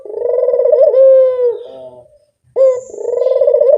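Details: Turtle dove used as a decoy sound: a long, low vibrating coo fades out, then after a short gap another begins with a clipped note and swells into a rolling purr.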